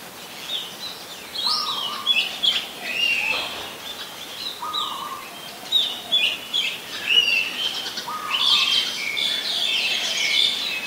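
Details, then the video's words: Oriental magpie-robin singing in Ubon Ratchathani, Thailand, 27 December 2020, very common resident: a varied run of high whistled and warbled phrases with short lower notes between, rising in intensity toward the end, steady outdoor noise beneath. "นกกางเขนบ้าน Oriental Magpie Robin (singing)"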